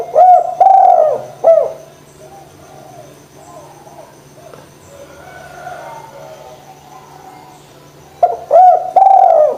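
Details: Spotted dove coo for stimulating reluctant doves: clipped, arching coos open, a long soft murmuring gap follows, and a fresh series of loud coos closes, over a faint steady hum.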